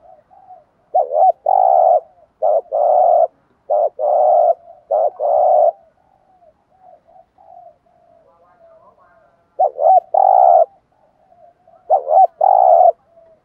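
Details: Spotted dove (cu gáy) giving a "thúc gù" lure call meant to draw wild doves into answering. Six low, mellow cooing phrases, each made of a quick doubled stuttering note and then a long, steady, hoarse coo, with quiet gaps between phrases.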